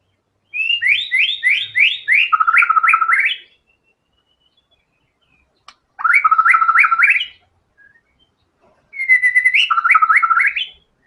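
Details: White-rumped shama in vigorous song displaying all its learned filler material: a series of rising whistled slurs running into rapid, rattling repeated notes, given in three long phrases with short silences between them.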